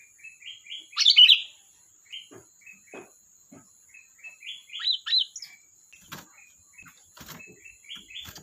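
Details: Sooty-headed bulbul in full voice: one strong bubbly phrase followed by a string of soft, evenly spaced short chirps and a second burbling phrase, with occasional clicks.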